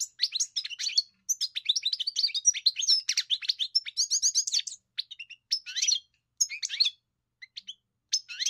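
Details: European goldfinch pouring out a vigorous twittering song with trills and tinkling notes, then sparser chirps after a few pauses; no background sounds.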